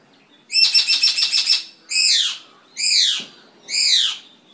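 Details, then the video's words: Eclectus parrot kept at home in Nawalapitiya, Sri Lanka: a rapid stuttering burst of about seven harsh high notes, then three separate drawn-out screeching squawks roughly a second apart. "Eclectus Parrot"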